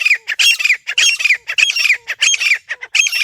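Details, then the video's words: Grey francolin (teetar) call used as a hunting sound: loud, harsh, ringing squawks in quick bursts, several notes each half second, the rhythm fast and uneven. "Asli Teetar Ki Awaaz | Teetar Call Sound Effect"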